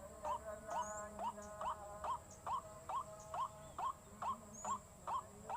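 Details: Repeated hooked, rising notes of a white-breasted waterhen used as a lure, delivered at a regular pace of about two per second above a persistent high-pitched hiss.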